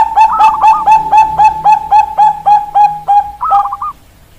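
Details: Zebra dove of the Bangkok perkutut type singing: a long run of low, even cooing notes repeated several times a second, ending with a bubbling rolled trill.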